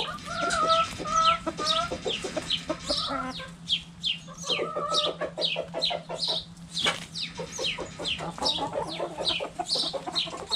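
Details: Backyard hens playing cabbage volleyball: bursts of rapid, harmonic clucking in quick series, mixed with many high, downward-swept chirps, about two calls a second.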